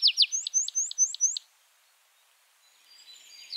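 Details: Tree Pipit song fragment: a short series of high, evenly spaced slurred notes lasting about one and a half seconds, then quiet with faint distant bird notes.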